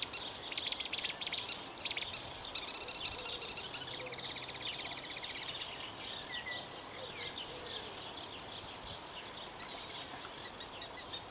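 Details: Marsh warbler pouring out a long, fast song of high chirps, rattling trills, clicks and short whistles, constantly changing, with a faint low hum underneath.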